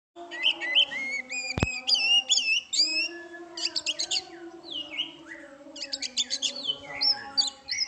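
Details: Caged oriental magpie-robin in full song, a rich varied run of clear whistled notes, slurred upsweeps and rapid buzzy trills, interrupted once by a sharp click.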